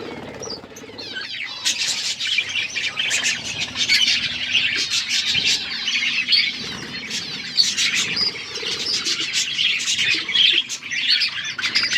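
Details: Budgerigars chattering in an outdoor aviary: a constant layered stream of high chirps, warbles and harsh squawks from many birds, with occasional wing flutter.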